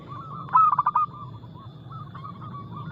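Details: Local Indonesian zebra dove in full, active song, used as a lure to get other doves singing: one loud phrase of rapid, throbbing, pulsed coos that ends in a drawn-out note. Softer cooing from other doves continues behind it.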